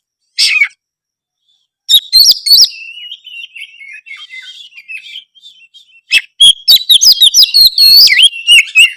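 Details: White-rumped shama song meant to prompt another shama to answer: a sharp note, a burst of clicks and whistles, a long soft warbling passage, then a loud fast sequence of ringing whistled notes and clicks.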